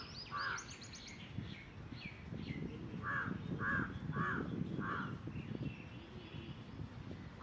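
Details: Black jungle crow calling, recorded 4 July 2021: a series of hoarse, nasal caws spaced roughly half a second to a second apart, mixed with faint high chirps from other birds and low background rumble.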